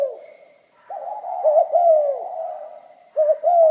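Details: Spotted dove in the 'giọng pha kim' voice: a soft low murmur swells into a pair of clipped coos and a sliding descending note, then another double coo begins at the end; faint whine behind.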